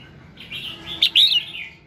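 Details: Red-whiskered bulbul singing in the morning, a recording meant to get other bulbuls singing: a soft, thin warble builds into one loud, bubbling flourish that fades away.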